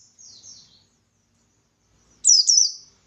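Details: Buxtoni white-eye giving ngalas song meant to draw answers from other white-eyes: a faint, distant pair of falling whistles, then after a pause one loud, bright double downslurred phrase.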